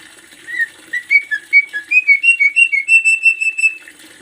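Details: Javan myna master recording made for training birds, full of varied sounds: a run of about twenty clear whistled notes, roughly three per second, climbing gradually in pitch.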